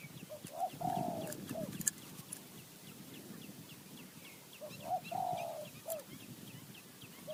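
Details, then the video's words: Spotted dove, wild, high mountain forest in Thailand, responding during decoy calling: two phrases about four seconds apart, each a short note, a long slurred hoarse coo and a clipped final note, with small birds chirping high in the background. "นกป่าคารม โยน 4 3 2 1 กุก เรียก 1 2 กุก"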